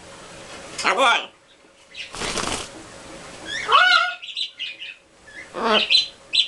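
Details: A pair of green-winged macaws with a baby talk to each other with greetings and I love you. Bursts of nasal, voice-like chatter are broken by a loud flurry of flapping wings.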